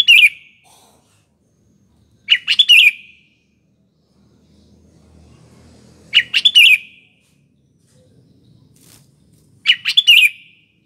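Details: Lively sooty-headed bulbul used as a lure at morning, afternoon and night, delivering short, rich, bubbling phrases roughly every two to four seconds, separated by quiet pauses with a faint low rumble.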